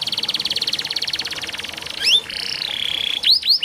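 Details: Canary singing on a training recording for canaries that rarely sing. A buzzy, pulsing trill lasts two seconds, then a drawn-out falling whistle and several quick upward-swept notes follow.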